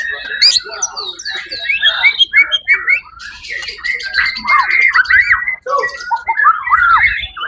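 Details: First-place white-rumped shama at a 1 October 2023 songbird competition delivers rich varied song: rapid chattering notes, then a run of arched whistled phrases about three per second, ending with clear looping whistles.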